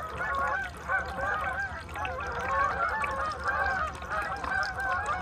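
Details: Many Canada geese gathered on a calm lake in Aroostook County, Maine, during the November migration of 2021, honking together in a steady, overlapping clamour of nasal calls.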